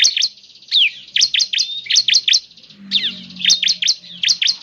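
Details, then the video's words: Bar-winged prinia song recorded to make a caged bird sing. Irregular clusters of sharp chirps mixed with a few sliding, slurred notes and a faint low hum in the background. "Pancingan Ciblek Semi Gacor Agar Bunyi..!"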